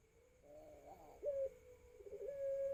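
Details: A young ringneck dove, aged 4 to 5 months, learning to coo: low, hollow, wavering notes, then a steadier drawn-out coo that breaks and resumes, with a faint steady hum behind.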